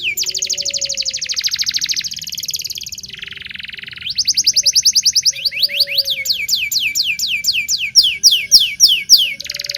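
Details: Local canary in full song, meant for training young canaries to sing: long dense trills, a brief raspy buzz, then quick rolling series of sharp falling whistles repeated several times a second.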